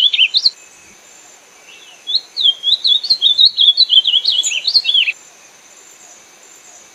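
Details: Ultramarine grosbeak giving a brief opening note, then after a pause a three-second phrase of rapid, twisting high whistles, softer at first and ending in a louder rising flourish.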